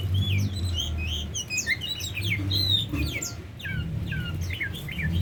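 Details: Varied whistling and chattering song from a tame Oriental magpie-robin, phrases of rising and falling notes, accompanied by a constant low droning background hum.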